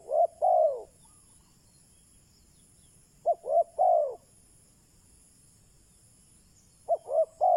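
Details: Spotted dove decoy calling to bring in wild doves; triple-note coo phrases, short, short, then long and falling, repeated roughly every three seconds against a quiet background with faint high hiss.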